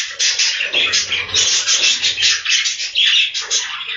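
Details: Many captive budgerigars in a breeding room: dense, continuous chorus of warbling chatter and chirps from numerous birds overlapping, loud and steady throughout with no pauses.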